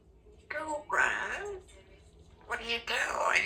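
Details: A 2-year-old female Congo African grey parrot, kept at home, practises her words: two short bursts of speech-like talk, each about a second long, with voiced, word-like phrases in a small room.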